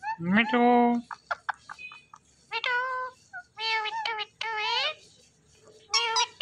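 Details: Green Indian ringneck parakeet talking: a quick run of speech-like syllables with stacked harmonic tones, some rising, some wavering, broken by short pauses, over a faint low background hum.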